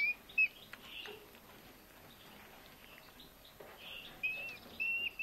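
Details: Eurasian hobby nestling, one of two found starving on a Hungarian road one August evening, calling while being fed in a rescue centre. It gives short, sharp, high squeals at the start and end, with soft rustling between.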